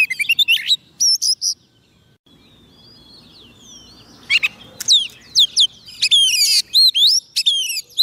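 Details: Oriental magpie-robin singing to attract wild birds: scattered sharp whistles, a few seconds of near silence with soft background noise, then a lively run of upswept whistled notes.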